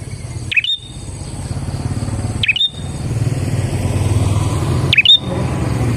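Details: Prinia song used as a lure to attract other prinias: three sharp, high chirps that dip then flick upward, spaced about two seconds apart, over a steady low rumble of passing vehicles.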